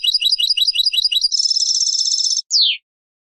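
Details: European goldfinch song of the type used to teach chicks; quick repeated twittering notes, then a dense buzzy trill, a short gap and a descending slurred note, clean with no background sounds.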